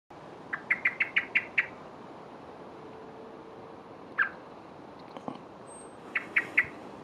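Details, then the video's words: Blackbird chirping while fluttering its wings: a rapid series of six sharp, clipped chips, then a lone chip and a closing burst of three, each note abrupt and bright over quiet background. "Blackbird - if I flutter my wings does it make my chirp louder?"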